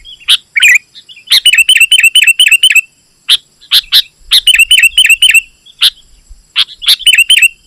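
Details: Sooty-headed bulbul chattering: isolated loud chips alternating with fast runs of repeated bright twittered notes, in a quiet setting with brief silences.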